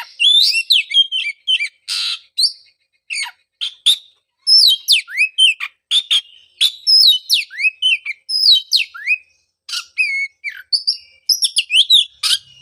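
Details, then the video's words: Long continuous Oriental magpie-robin song, a lure for a bird that quit singing after moulting: busy mix of slurred whistles, clicks and scratchy notes in short bursts throughout. "pancingan suara untuk terapi burung kacer"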